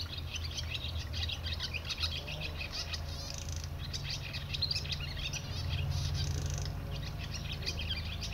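Barn swallow twittering, a fast run of high chirps and scratchy trills without pause, over a steady low rumble.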